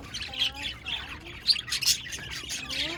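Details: Budgerigars on 1 November 2023 giving busy scratchy chirps and sharp squeaks in rapid irregular bursts, over soft sliding lower tones.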